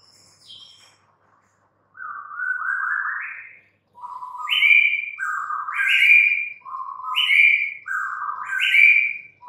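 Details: White-rumped shama (murai batu) kept in a cage, said to be stressed and silent, brought back to singing; a steady series of loud whistled phrases, each a low note jumping to a higher clear tone, repeated about every second and a half.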